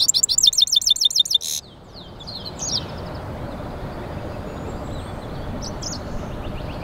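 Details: Goldfinch–canary hybrid mule in song: a fast run of sharp, repeated high notes lasting about a second and a half, then steady hiss with faint distant chirps.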